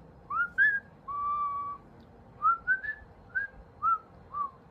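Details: Musical pet parrot whistling: two rising notes, a long held level tone, then a string of short rising and falling whistles spaced about half a second apart, indoors.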